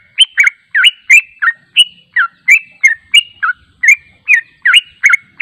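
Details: Yellow-vented bulbul song played as a lure to provoke replies: steady, bubbling phrases of clear, slurred notes that bounce between higher and lower pitches, repeated rapidly throughout.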